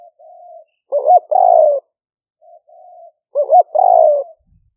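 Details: Spotted dove calling to lure wild doves into a trap, Roi Et, Thailand, rainy season 2021, smartphone recording; quiet low hums lead into a looping double coo and a long rough coo, repeated twice about three seconds apart.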